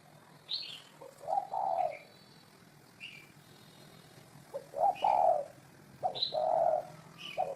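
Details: Spotted dove gives three low, throaty coo phrases, each a short rising note run into a longer rolling coo. Light chirps from other birds sound in between.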